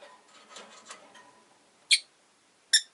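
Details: Rosy-faced lovebird, one of five caged pets kept by a window where street noise enters. A low murmur of background noise is followed by two piercing, sharp chirps about a second apart.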